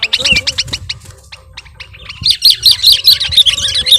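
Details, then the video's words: Lure call of a lively sooty-headed bulbul used by bird catchers: rapid strings of sharp chirps, a short lull, then a dense, rolling series of bright bubbly notes, with low background rumble. "Suara Pikat Burung Kutilang Gacorr"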